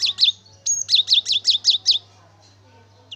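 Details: Lively cinereous tit (gelatik batu) song used as a lure to prompt singing: a bright, high double note, then a rapid run of six ringing, down-slurred notes, ending in quiet.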